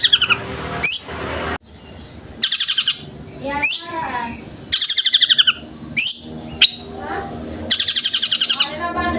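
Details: Long-tailed shrike singing its tengkek buto bursts: rapid high staccato volleys alternate with quick sweeping whistles and short downslurred notes over roughly nine seconds. A thin constant high tone and a low hum run throughout.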